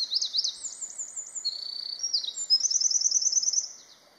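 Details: Eurasian wren singing loudly on 16 May 2021: a very high, rapid outpouring of trills and sharp chips that switches quickly between pitches and runs without a pause.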